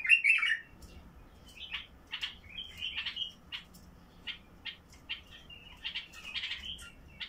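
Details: Basra bulbul with a heavy-throated song meant to open up singing in caged bulbuls: a loud opening warble, then a series of short fluty notes and chattering bursts spaced roughly every half second.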